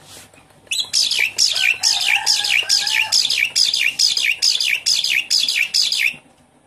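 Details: Javan pied starling singing, used to coax a caged bird that stopped singing: a steady, rhythmic run of about thirteen loud, harsh, buzzy notes, roughly two or three a second, with a faint low warble underneath.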